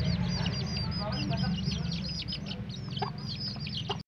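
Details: Hen and chicks of Indonesian village chickens going to sleep: a dense chorus of shrill, falling chick peeps repeated several times a second, a few soft hen clucks, and a continuous low droning hum underneath.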